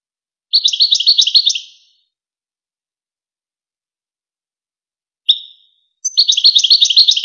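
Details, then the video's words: European goldfinch song from a tutoring recording for young goldfinches and hybrids: two bursts of rapid, tinkling, twittering notes, a short slurred note between them, over a silent background. "شريط وكر توزغة الشهير لتسميع فراخ الحسون و الهجين"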